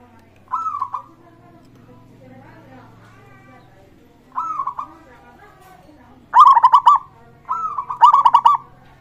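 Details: Local zebra dove, its song used to prompt other birds to sing: four rising coo phrases ending in rapid trills, the first two softer and widely spaced, the last two louder and close together.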